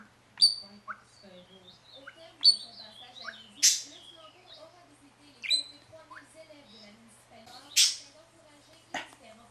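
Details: Indoor pet parakeet calling up close during a one-to-one moment with its owner. Short whistled chirps, some rising and some falling, come in quick irregular bursts, mixed with several loud raspy, scratchy squawks. A quiet room hum runs beneath.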